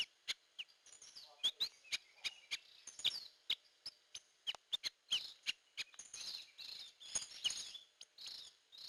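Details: Lure-call recording of a hair-crested drongo (gentolang, srigunting kantil): a steady run of short, high, clicky chirps roughly every half second, mixed with thin rising whistles and softer chattering toward the end.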